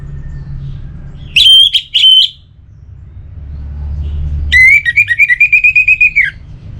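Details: Orange-headed thrush song, used as a training sound to spur reluctant birds into singing: two short, high whistled notes, then a longer run of quick, slurred whistles held steady and dropping at the end. Low rumble underneath.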